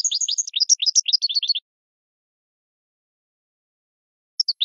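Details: Goldfinch singing for cage bird training: a burst of fast tinkling, liquid notes lasting under two seconds, then silence and three short high chirps at the end.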